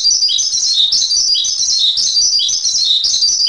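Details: Masteran song of the Javan pied starling: rapid, tightly packed high chirps and trills, repeated in bursts about once a second, loud and steady.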